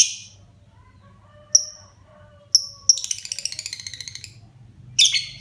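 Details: Pet lovebird, kept as a child's favourite bird, singing actively: isolated sharp high chirps, then a rapid rattling run of chirps that slows down, then a burst of shrill notes at the end.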